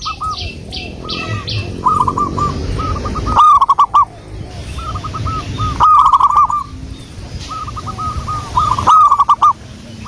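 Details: Local wild zebra dove song for luring: repeated phrases of fast bubbling coos, several loud close bursts alternating with softer distant replies, suggesting more than one dove, over low background noise.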